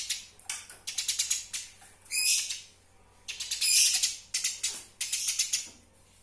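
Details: Eurasian tree sparrow, a master recording for tutoring other songbirds, giving rapid chattering strings of sharp high chirps, broken by short pauses, with one bright whistled note early on.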